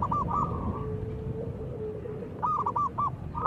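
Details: Local zebra dove with a big, strong voice: short bursts of quick, soft staccato coos, a phrase at the start and another near the end, with a low steady hum underneath.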